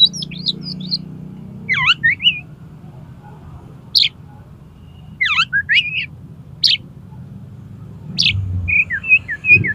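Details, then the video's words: Oriental magpie-robin in 'konslet' style, meant to trigger tail-fanning in another bird: scattered short bursts of sharp, slurred, downward-swooping whistles with gaps of quiet between them, over a steady low rumble. "CUKUP 3 MENIT BIKIN KACER MAU BUKA EKOR PAKAI SUARA KACER KONSLET INI"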